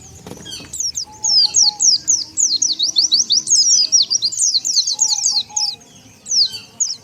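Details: Lure calls of Oriental white-eye meant to gather wild birds: high, thin, slurred chirps that start sparse, then pour out in a dense chattering run before thinning again.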